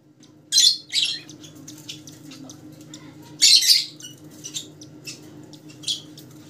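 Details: Several Rosellas of different colour mutations call with short, grating squawks, two loud pairs separated by softer scratchy chatter, against a steady low indoor hum.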